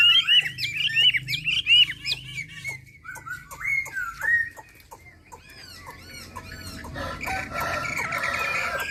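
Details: Singing Chinese hwamei from Hà Giang, with bright upslurred whistles repeated quickly at first, then scattered clicks and a fading, rougher stretch over steady low-pitched hum.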